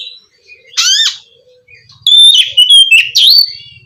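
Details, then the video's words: Oriental magpie-robin singing as therapy to stimulate a caged bird that has stopped singing; a rising harmonic squeal, then a rapid burst of sharp whistled and chattering notes, with faint low hum. "suara terapi kacer macet bunyi"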